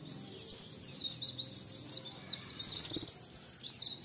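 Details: White-eye colony calling as a lure for trapping: continuous high twittering of many birds, rapid thin downslurred chirps running together without pause over a faint low background hum.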